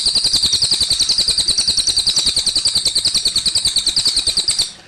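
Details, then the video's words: A cililin delivers a bright, fast, high-pitched trill of even pulses for almost five seconds, fading at the close, over softly trickling water. "suara burung cililin"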